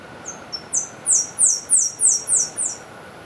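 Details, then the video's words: Saffron-billed sparrow (Arremon flavirostris) song: a very high, thin series of two faint opening notes, then about six sharp, down-slurred notes, each louder, over a soft background hiss. "Tico tico de bico amarelo - Arremon flavirostris - canto"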